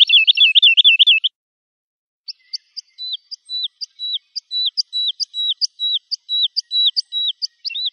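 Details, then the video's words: Lark singing to teach young birds: a brief fast rippling trill, a silence, then a steady series of flat whistled notes each preceded by a sharp high tick. "تغريد الولوال لتحفيظ الفراخ - chant d'alouette"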